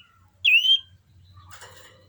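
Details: Common iora in breeding condition giving a single loud, clear whistled note that dips slightly and then rises, lasting about a third of a second, followed by quiet rustling and a low background hum.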